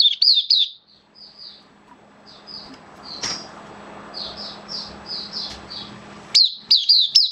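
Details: Hobby-kept oriental white-eye singing on 11 September 2022, form slightly down; a loud chirpy burst opens, then quieter spaced whistled notes over faint hiss, ending with a renewed run of sharp twittering chirps.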